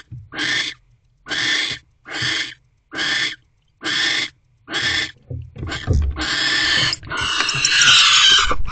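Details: Barn owls mating in a nest box at 6:52 pm on 25 December 2023 as the female holds prey in her beak. A series of six short raspy hisses gives way to louder, longer, more continuous screeching with scuffling.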